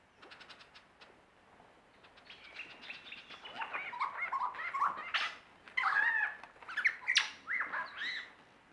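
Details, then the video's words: Lyrebird in Australia giving a mimicry performance: a rapid, varied run of whistled, warbling and swooping notes with abrupt changes of phrase. Faint soft calls come first, then the sound builds into dense, loud bursts. "Lyrebird performance"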